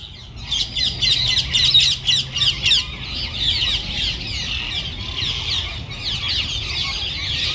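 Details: Rose-ringed parakeets flying into their winter roost in a Japanese city, a flock of roughly 1000 birds from escaped pets; loud bursts of rapid harsh squawks repeat several times per second, then blend into continuous shrill chatter.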